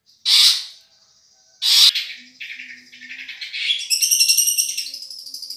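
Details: Champion-voiced Madura long-tailed shrike on a tutoring recording: two loud, harsh rasping blasts a second apart, then quieter scratchy notes building into a fast, ringing, high chatter.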